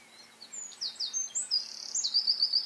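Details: Eurasian wren singing in the Eifel, a loud, high, rapid string of sharp notes that quickens into a dry, rattling trill at the end.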